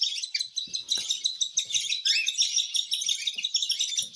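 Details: Continuous fast, grating hiss of a begging cockatiel being hand-fed, pulsing about three times a second, with faint soft taps.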